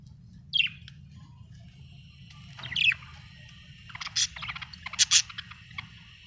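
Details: Happy budgerigar giving scattered high chirps, a few isolated sharp notes followed by a denser run of quick, buzzy, rapidly repeated chirps toward the end, with a steady low hum behind.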